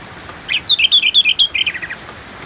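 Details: Orange-headed thrush, known locally as anis merah, sings in ngeplong style: a single fluty phrase of clear whistles that alternate high and low, closing with quick descending notes against a background hiss of rain.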